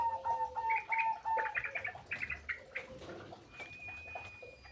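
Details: Fed birds in an aviary keep fighting noisily. Repeated level whistled notes and a lower steady tone mix with a flurry of quick overlapping chirps, then a long thin high whistle.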